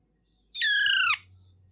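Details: Young talking parrot giving one loud, raspy squawk of about half a second that dips at the end, over a faint steady background hum.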